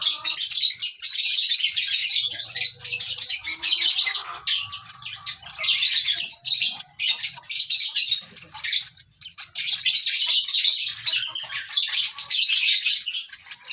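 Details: Baby lovebird keeps up a long, dense, scratchy high-pitched chirping chatter, with short dips in volume around the middle.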